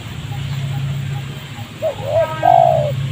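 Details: Wild spotted dove in a rubber plantation near a village, agitated and answering a trapper's decoy bird. Low hum precedes a few short hollow coos, ending in one longer drawn-out coo.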